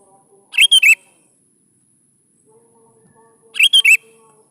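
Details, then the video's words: Sooty-headed bulbul luring song for young birds: two identical bright three-note whistled phrases, three seconds apart, each wavering up and down, with a faint steady low hum in the pause. "PANCING SUARA BURUNG KUTILANG GACOR"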